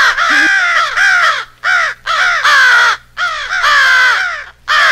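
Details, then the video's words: Loud, drawn-out hoarse caws from a compiled American crow rally call built as an epic fight with an owl, five long rasping bursts with gaps, plus a short lower note at the very start. "American Crow/Owl Rally Call"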